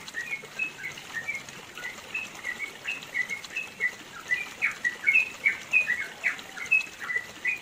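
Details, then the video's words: Yellow-vented bulbul, East Java mountains, Indonesia, delivering a long rapid 'ropel panjang' song meant for teaching other birds: quick liquid chirps strung in an unbroken run, getting stronger toward the end over steady background hiss. "MASTERAN TRUCUKAN ROPEL PANJANG"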